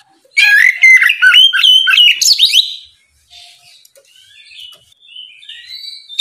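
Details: Ngeplong song from an Oriental magpie-robin in the morning, challenging rivals to respond: about two seconds of loud, varied whistles and rapid chips ending in a harsh rising flourish, followed by faint, soft whistles.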